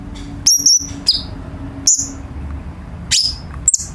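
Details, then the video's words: Cucak cungkok, a bulbul, sings as a tutor for birds kept at home: a handful of high, thin whistles and sharp chirps separated by pauses, over a low steady hum. "KICAU BURUNG CUCAK CUNGKOK"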